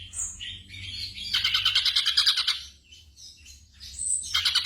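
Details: Night training audio for caged songbirds with a black drongo: squeaky high notes, a rapid buzzy chattering trill, a short pause, then more high notes and a renewed chatter.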